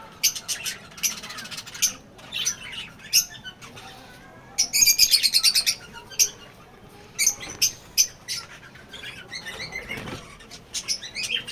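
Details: Shrill, scratchy chirps and squawks from a lovebird colony with young birds, a loud rapid cluster near the middle, then spaced-out sharp notes.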